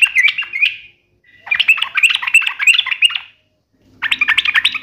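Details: Sooty-headed bulbul singing in the 'uplik nembak ropel tajam' style, with quick bursts of bright, trilling chatter broken by short silences. A low background hum enters near the end.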